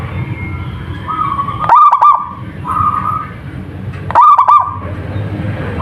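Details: Two rolling, stuttered coo phrases from a local zebra dove, about two and a half seconds apart, against steady humming tones and low-frequency background noise.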